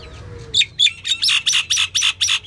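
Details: A female common myna gives a rapid string of harsh, buzzy squawks, about eight in two seconds, each rough note evenly spaced, over a faint low background hum.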